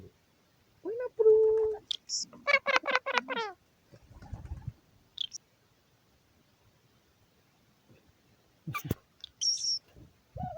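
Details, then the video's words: A male pet rose-ringed parakeet in an aviary on New Year's Day 2021 talks to himself, muttering speech-like phrases in a scratchy, nasal voice, with rasping syllable bursts and a few sharp high squeaks between pauses. "Indian ring-necked parrot talking to himself"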